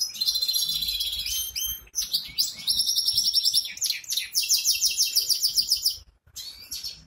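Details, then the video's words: Caged goldfinch hybrid from Ankara, Türkiye, pouring out a rapid, high-pitched song: rattling trills, metallic twitters and buzzy phrases in long bursts, with a brief silence near the end before it resumes. "Saka melezi"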